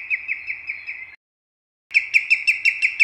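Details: Common greenshank (Tringa nebularia) song: a fast run of clear, ringing whistled notes, about five or six a second, then a brief pause and a louder, sharper run.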